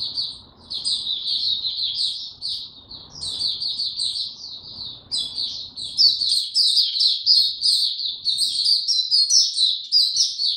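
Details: Caged white-eye in full song on 29 April 2022, unsupplemented: dense, rapid high warbling in choppy bursts of about ninety-odd pulses a minute, growing louder and busier in the second half.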